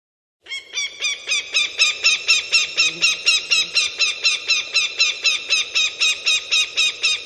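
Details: Eurasian sparrowhawk calling in a garden: a fast, very regular chattering series of harsh kek notes, about four per second, sustained for seven seconds with a steady rhythm.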